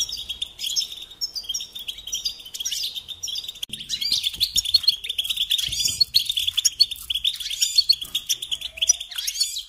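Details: European goldfinch singing a lesson song for young birds, an unbroken stream of high, jangling twitters and buzzy trills that grows louder after four seconds, with a faint low hum beneath.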